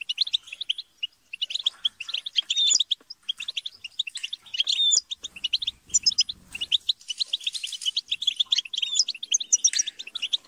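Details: Goldfinches chattering and squabbling in a group to encourage a kept bird to sing; continuous crowded twittering with buzzy scolding bursts and faint low rumbling noise midway.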